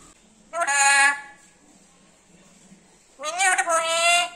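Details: Pet black-capped lory talking in a sweet voice: two nasal, speech-like phrases, each about half a second long, separated by a quiet pause, with a faint hiss behind them.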